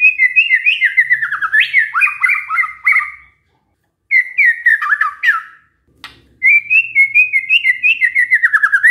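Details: White-rumped shama giving canary-style mimicry song, long runs of fast warbled and whistled notes, swooping up and down, broken by two short silences before a steady rolling series of repeated notes.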